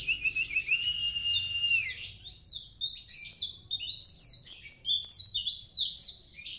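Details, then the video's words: Mountain white-eye, dagbal kintamani type, gives a sustained high whistle, then a rich, hurried sequence of descending twittered notes that grows louder and continues to the end. "pleci gacor, dagbal kintamani"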